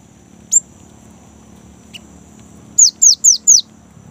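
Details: A young, lively great tit sings to draw kept birds into song. A single high upsweep opens, silence follows, then four rapid descending whistles close together.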